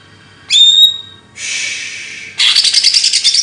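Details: Songbird used as chirping training material: a loud clear high whistle, followed by a harsh hissing buzz and then a fast run of scratchy, rattling high chatter.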